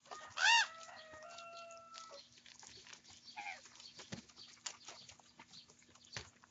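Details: Young common ravens squabbling over their breakfast food: one loud, short harmonic squawk near the start, then faint sustained tonal notes and scattered clicks and scuffling.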